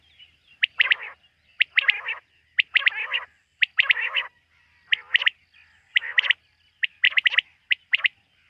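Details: Quail calling by night, recorded around quail hunting: regular bursts of crisp whistled notes followed by rough, raspy tails, about one burst a second, over a faint low hum.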